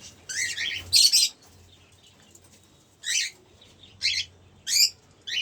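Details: Two cockatiels give loud, buzzy, harmonic screeches in bursts, a double call near the start, then single calls roughly every second, over a faint low hum.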